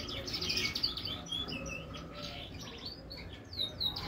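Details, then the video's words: Finch and siskin hybrid mule singing in energetic 'tembakan' style: fast twittering, buzzy high notes and brief rattles run on continuously over a noisy low background hum. "FICH HYBRID MULE SISKIN GACOR TEMBAKAN"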